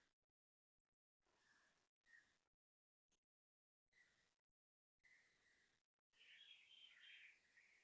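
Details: An Asian koel calls at 6:53 am on 3 January 2026 in Toa Payoh, Singapore: loud, repeated dawn notes ending in a busier warbling burst, over steady hiss with brief silent gaps.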